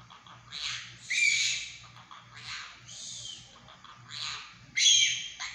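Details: A pet monk parakeet speaks in hoarse, breathy bursts of mimicked Chinese words and phrases, five or six over a few seconds, with a faint low hum behind.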